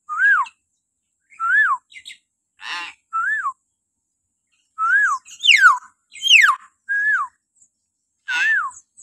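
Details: Common hill myna with shrill morning calls meant to coax captive mynas into singing: arched whistled notes about every second, interrupted by raspy bursts and two sharp falling shrieks.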